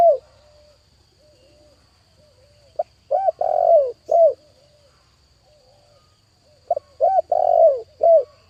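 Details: Decoy spotted dove cooing to draw in another dove. Soft, low, even coos fill the gaps between two loud phrases. Each phrase has quick short notes, a long rolling coo that slides down, and a final clipped coo.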